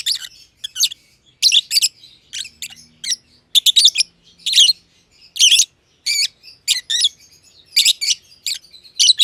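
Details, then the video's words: Lovebirds in an aviary, one green personata and one green pied personata, trading shrill, rasping chirps in short bursts roughly every second, with faint low background hum. "Lovebird Chirping Sounds - Green Personata & Green Pied Personata"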